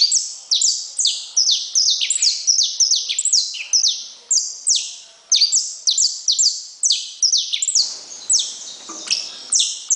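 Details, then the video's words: Saffron finch pouring out high, downslurred notes in quick repeated bursts for ten seconds, the pattern briefly mixed with a soft rustling noise near the end. "Canário da terra"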